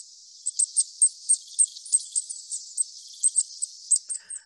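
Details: A Goldcrest in winter, among evergreen trees in Warwickshire, gives a rapid, uneven run of tiny, needle-thin squeaky calls, very high-pitched, about fifteen in four seconds, with nothing else audible.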